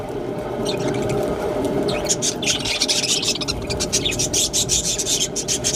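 Budgerigars chatter in quick, scratchy, high bursts over a steady background hum.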